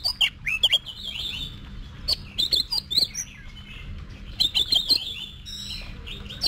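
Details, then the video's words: Competition-trained Oriental magpie-robin singing clusters of bright whistled notes mixed with sharp ticks, in bursts separated by short pauses, with a faint steady hum beneath. "Luyện Giọng Cho Chòe Than Hót Đấu"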